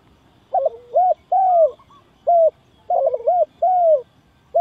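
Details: Spotted dove call used as a lure for trapping: loud, clean low coos in paired phrases, a short double note followed by a longer drawn-out falling coo, repeated three times with no other sounds.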